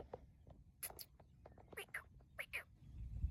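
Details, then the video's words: Black francolin calling in an open field in Pakistan: harsh, grating notes paired in quick doublets, about three pairs over a few seconds, over low rumbling background noise. "کالے تیتر کی کھیت میں گونجتی صدا"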